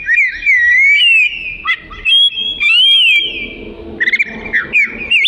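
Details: Oriental magpie-robin (kacer) singing, recorded as filler material for training other songbirds: long sustained pure whistles, some wavering and rising, broken by short chips, with faint low background noise in the second half.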